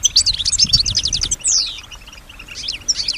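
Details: Female European goldfinch kept as a pet, singing and imitating sounds: a quick run of sharp high chirps, then a descending slurred note and softer scattered twitters, with low thumps underneath.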